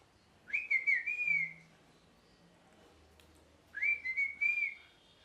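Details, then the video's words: A parrot makes two bursts of warbling, whistled notes, each rising then wavering for about a second, separated by a pause, over faint low background hum. "Parrot Chirping Sounds | Natural Parrot Sounds | Parrot Calling Sounds"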